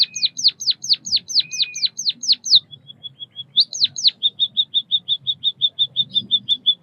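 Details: White-headed munia chirping: a fast run of falling whistled notes, soft peeps, two more sweeps, then a long regular train of short high peeps.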